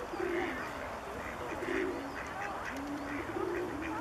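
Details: Bewick's swans calling at České Budějovice, Czech Republic, February 2014: several mellow, nasal honks in short bursts, with overlapping birds answering one another and a steady murmur behind them.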